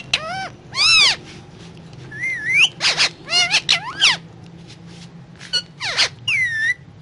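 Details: Indian ringneck parakeet talking while feeding on guava: a string of loud harsh chattering calls and descending squeaky notes, interspersed with short rising whistles, over a low constant hum.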